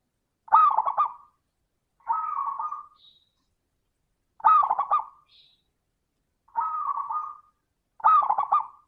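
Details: Zebra dove singing crystal-voice ('suara kristal') phrases to lure other doves into song: five short, bubbly, stuttering coo bursts, each under a second, repeated roughly every two seconds with clean silence between.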